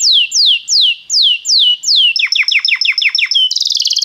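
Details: Belgian canary singing to warm up a canary: slow series of clear falling whistles, then a quicker string of chopped notes and a final high buzzy trill.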